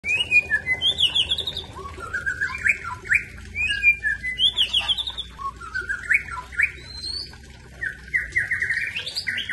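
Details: Aceh white-rumped shama singing a rich, varied stream of whistled and chattering phrases, rising and falling quickly, some notes sliding up sharply; a steady low hum runs underneath.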